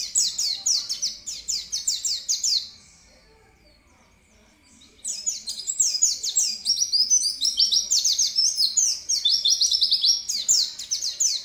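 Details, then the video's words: An oriental white-eye sings in lively gacor manner: a few seconds of quick, shrill twittering slurs, a silent gap of about two seconds, then a longer, denser run of rapid chirps and short trills. "pleci bukpar gacor"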